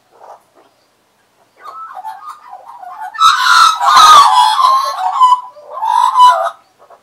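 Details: Australian magpies, regular visitors perching on a person's arm and knee in 2015, serenade at close range: a soft note, a pause, then a rich gurgling warble that swells into a loud, harsh, layered carol mid-phrase and ends in mellow fluting.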